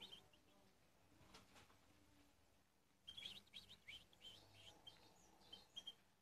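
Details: Eight-month-old European goldfinch in the salaka stage of its song: after a quiet start, a loose run of thin, high twittering notes and chirps follows, faint against steady low background noise.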